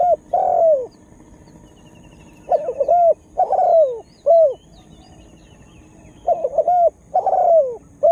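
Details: Mellow cooing of a spotted dove used as a decoy for wild birds: clustered groups of short, falling coos in three bursts, with faint high trills from other birds in the distance.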